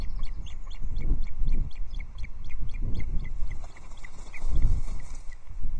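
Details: Osprey at the Loch Arkaig nest on a July 2022 morning, as the female brings moss and the male delivers a third fish; rapid series of short, high, whistled chirps, roughly four per second, over steady low wind rumble.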